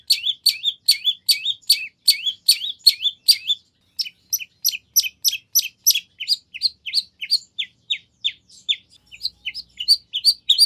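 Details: Lure song of the long-tailed shrike, full of 'nagen' fillings to make another shrike reply at once: a long run of quick, sharp, downslurred high notes with one short gap.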